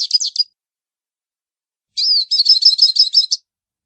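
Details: Song of a hooded siskin: the tail of one high twittering phrase, then after a pause another quick burst of rapid, tinkling repeated notes, clear and isolated.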